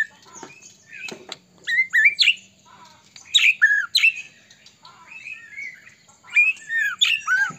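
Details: Murai batu (white-rumped shama) song, played to provoke other shamas into singing; squawky clipped notes and looping whistles in irregular bursts, with a steady low tone underneath in places.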